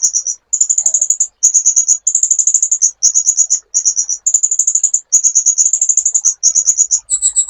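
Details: Master training recording of a sunbird, almost continuous series of fast, very high trilled bursts separated by brief gaps, ending with a few lower buzzy double notes.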